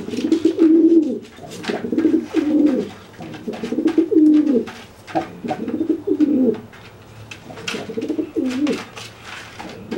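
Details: Pigeon threatening a freshly bathed, wet companion that cannot fly; five low, throaty rolling coos about two seconds apart, with scratchy taps and rustles in a small room.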